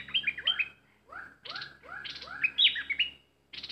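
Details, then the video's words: Fired-up decoy bulbul: a series of quick rising whistled slurs and bright squeaky warbled notes, broken by short harsh buzzing bursts. "Burung merbah lekir bay hoach thom gacor bahanan"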